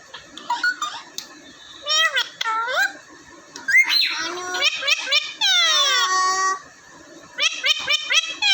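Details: Talking parrots, two raw parrots and one common parrot, kept in Vehari, Punjab, Pakistan: bursts of harmonic, swooping nasal calls rising and falling, several overlapping, with a long buzzy sweeping phrase mid-clip.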